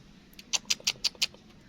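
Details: Black francolin chick gives five short, thin, high peeps in a quick, even series against a soft background hiss.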